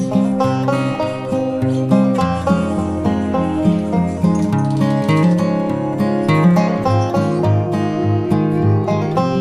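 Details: Acoustic guitar music plays throughout, strummed and plucked, with no animal sounds.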